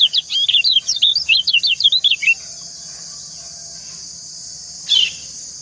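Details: A female white-eye's enticing call toward a male: a rapid string of about a dozen high, zigzagging chirps in the first two seconds, then quiet apart from one sharp note near the end and a steady high hiss.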